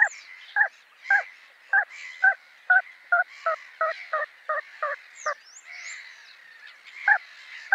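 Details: Little crake (Porzana parva), call.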